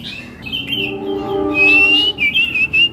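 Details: Captive male red-billed leiothrix (Pekin robin), a large-bodied bird in full song, sings a loud, fluid warble of clear whistled phrases that slide up and down, with a low steady hum underneath.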